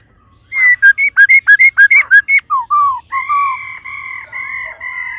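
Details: Female laughingthrush giving 'ro ro' calls to stimulate the male: a fast series of about a dozen short, clear, slurred whistled notes, then longer drawn-out steady whistles with overlapping tones.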